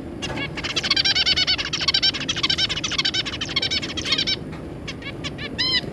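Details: Two zebra finch parents and their three juvenile young, 3 July 2022. A rapid, dense run of nasal, buzzy chattering notes lasts about four seconds, then several separate arched beeps follow over low background hum.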